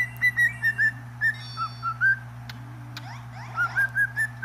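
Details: Cockatiel singing uneven short whistles, some higher and some dipping lower, followed by softer chattering scratches and a final run of four clear whistled notes, with a low steady hum.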